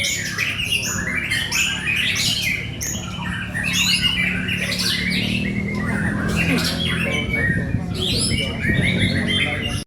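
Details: White-rumped shama from Indonesia delivering dense, harsh squawking phrases mixed with quick whistled notes, almost continuous, above a steady low electrical-sounding hum and background rumble.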